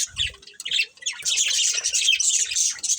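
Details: Budgie family chatter: a few separate chirps and a squawk at the start, then a dense run of scratchy warbled twittering to the end.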